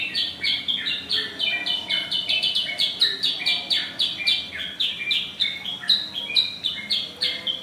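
A Sooty-headed bulbul sings a loud, long run of bright chirping notes, several each second, with short sliding whistles over a quiet background.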